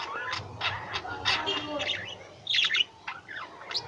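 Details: Pet lovebirds chirping and squawking: scattered shrill squeaks, then a louder burst of buzzy, rising chirps, over a faint low hum.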